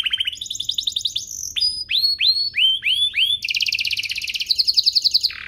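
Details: Domestic canary song used as a master recording for training young canaries and prompting them to sing: rapid varied phrases of rising whistled notes, fast trills and buzzy rolls, with a steady low hum.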